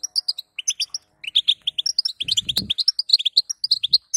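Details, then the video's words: Female European goldfinch calls meant to stimulate a male to sing: a rapid run of bright high twittering chirps and short tinkling notes, nearly continuous, with a brief rattle of cage noise midway. "بتبته حسون لتهييج ذكر"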